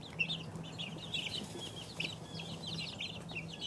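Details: Two-week-old chicks cheeping continuously, a flock of small high-pitched peeps in quick overlapping bursts, with a steady low electrical-sounding hum in the background.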